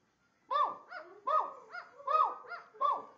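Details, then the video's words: Barking Indian ringneck parakeet: paired notes, a loud nasal bark then a softer echoing yip, repeated four times at a regular pace. "indian ringneck talking and barking"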